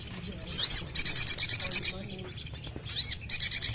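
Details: Crimson sunbird kept as a cage bird, delivering two fast runs of sharp, high-pitched ticking notes, each run introduced by a brief sweeping whistle, over a faint low hum.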